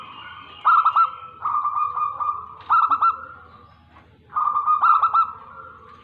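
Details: Zebra dove of the local Tegal strain, Indonesia, giving bubbling trilled coos followed by a sustained rolling note, three phrases separated by short pauses.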